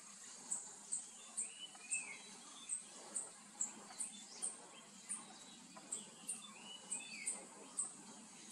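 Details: Speckled piculet (Picumnus innominatus) giving very high, thin ticking notes irregularly about twice a second, with soft chirps of other birds and faint hiss; recorded 21 April 2022 at a bird campsite, Koyna Wildlife Sanctuary, Western Ghats, India.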